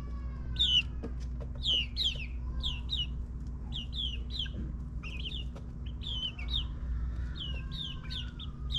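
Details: Ninth-week chicks in a suburban backyard keep up a stream of high, falling peeps, several per second at first, over constant low hum and occasional clicks.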